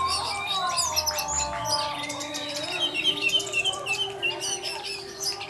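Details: Ecstatic 'teler' singing by an orange-headed thrush, used to provoke other thrushes to sing. Busy, rapid chatter of high chirps and trilled whistles, roughly three per second, over steady background hum lines.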